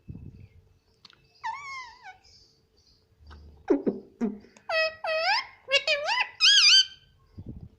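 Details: Pet Indian ringneck parrot chattering indoors, saying "mummy": several wavering, harmonic syllables of varying pitch, mixed with low knocks, a short voice-like sound and rapid clustered calls toward the end.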